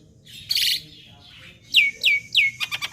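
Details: Juvenile black-winged myna used as training material to set off singing: a buzzy harsh note, a pause, then three loud downslurred whistled notes in quick succession and a short stuttering rattle.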